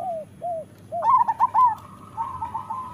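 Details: Zebra dove, local Indonesian perkutut, in master song used to train caged doves: three soft down-curving coos, then a loud burst of trilled cooing notes and a drawn-out level coo trailing off.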